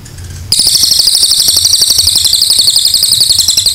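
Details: Cililin singing a long 'nembak panjang' song used as tutor material for other birds: after a half-second pause, a dense, very high, buzzy rattling trill runs on without break, rapid pulses packed together.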